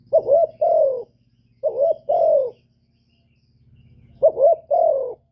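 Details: Spotted dove cooing in its calling and urging manner: three clipped double-note coo phrases, each a quick upswept note followed by a longer falling hoot, with a steady low hum beneath.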